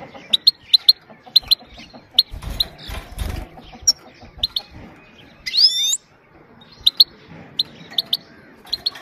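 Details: Repeated sharp doubled 'pit pit' chips from a female goldfinch, given to excite males and tutor young birds, plus a brief squeaky sweeping sound midway and low rustling.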